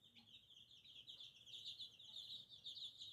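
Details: Soft but continuous high, trilling peeps from little chicks, growing slightly louder, with no other clear sounds.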